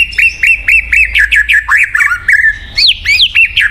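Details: White-rumped shama (murai batu), song used to prompt a silent bird to sing: rapid series of short whistled notes, many sliding downward, repeated about every quarter second, with a few higher rising phrases near the end.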